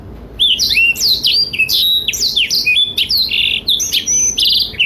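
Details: Blackthroat song for tutoring young and adult canaries, starting after a quiet moment: loud, clear whistles and sweeping slurs, with a scratchy buzz near the end.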